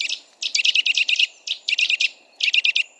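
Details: A wild Eurasian nuthatch (Sitta europaea) gives three quick bursts of five to seven loud, ringing piping notes within three seconds. Each burst is rapid and even, over a soft low background hum.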